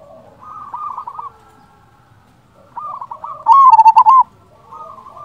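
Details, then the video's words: Lure recording of a local zebra dove: soft rolling coo phrases, then one loud, quick staccato trill in the middle, and gentle coos again after. "Perkutut lokal gacor Pancingan ampuh sekali putar suara ini 100% bikin nyaut"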